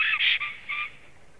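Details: Male black stork returning to its nest on 3 April 2016 in the afternoon, giving a hoarse, breathy whistle. Three broad bursts sound in the first second, the middle one strongest, then fade out.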